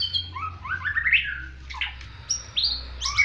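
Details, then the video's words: White-rumped shama singing in a fighting style likened to the bar-winged prinia: quick varied whistled phrases, sliding and rising notes with sharp high accents, over a steady low hum. "Murai batu MR. jarwo.. Gaya tarungnya seperti burung ciblek"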